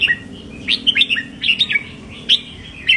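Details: Red-whiskered bulbul in a cage singing doubled phrases to rouse other caged birds: dense, lively bursts of sweet slurred whistles, tumbling up and down rapidly, over a steady low background hum.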